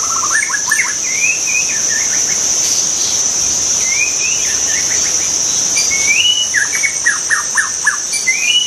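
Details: Wild white-rumped shama singing: short whistled phrases with rising slurs and quick falling notes, bursts spaced a second or two apart, over a steady high-pitched insect drone.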